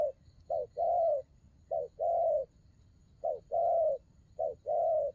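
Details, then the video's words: Spotted dove giving repeated two-part coos, a brief note then a drawn-out hollow coo, phrases spaced irregularly over about five seconds, no other clear sounds. "Đồng gù rước tốt"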